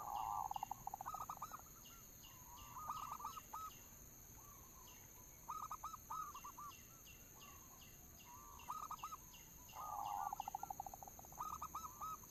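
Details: Local zebra dove used as a lure, repeating rolling coo phrases every two to three seconds, some purring starts, with high chirps from other birds throughout and a steady electrical whine under background hiss.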